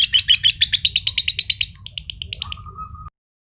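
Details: Mojokerto contest lovebird of green josan colour in a long ngekek: a fast grating trill of pulses, slowing into separated chirps, ending with a brief steady whistled tone.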